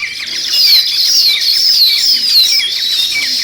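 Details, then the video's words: Bright, continuous chirping from a group of sparrows, described as weaver birds, with wavering whistled notes standing out above rapid, overlapping high tweets. "Natural Sparrow Chirping Sounds"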